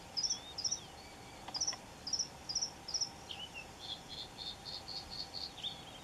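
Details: Red-throated pipit in Cyprus giving a series of thin, high, buzzy calls about every half second, followed by softer, lower chipping notes, over faint steady background noise.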